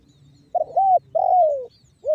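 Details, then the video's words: Spotted dove in the banggo bocor song style, a long-lasting lure. It gives low, hollow coos: two clipped notes, an arched coo, and a long drawn note sliding downward, followed by the start of another phrase. "SUARA TEKUKUR BANGGO BOCOR"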